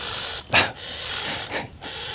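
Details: A heron at Black Point Wildlife Drive, Titusville, Florida, gives two harsh, hoarse squawks about a second apart over a steady hiss of wind; possibly a little blue heron.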